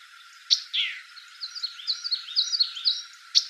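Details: A White-eyed Vireo sings in Bruce County, Ontario, Canada, on 17 June 2018. A sharp, snappy 'chick' opens a quick jumble of high, slurred whistles, and another crisp 'chick' closes the phrase about three seconds later.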